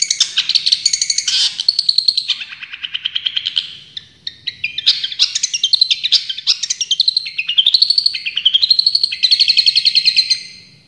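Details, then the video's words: Long-tailed shrike, champion bird, singing a long tembakan song: varied chattering bursts and fast repeated notes, with rising whistled sweeps toward the end, delivered in an almost unbroken rapid flow. "Masteran Cendet Juara full tembakan"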